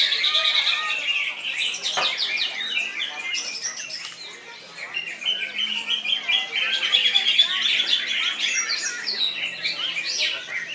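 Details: Greater green leafbird, a contest bird, singing a loud, continuous jumble of bright chattering, squeaky and whistled notes, high-pitched and rapid, with brief harsh squawks mixed in.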